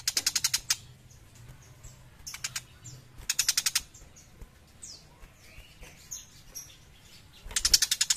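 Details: Actively singing young tiger shrike delivering repeated bursts of fast, harsh, ratchet-like chatter, each about half a second long, separated by quieter gaps with faint squeaky notes and steady low hum.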